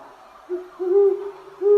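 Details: Recording of a Great Horned Owl, perhaps two vocalizations showing individual voice differences, played in a talk: deep, soft hoots, a short note, a longer drawn-out one, then a third cut off, in a quiet room.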